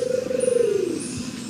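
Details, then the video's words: A scaly-naped pigeon, a permanent resident on St. John, Virgin Islands, gives a deep, hollow coo that slides downward over about a second, like a drawn-out 'who-are', with a faint high whine in the background. "if you listen to its call it sounds like it's saying who are"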